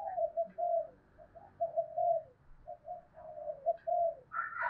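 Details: Spotted dove lure calling to provoke wild doves. Quieter, more distant low coo notes in a steady run, with a hissing background and a brief higher sound at the end.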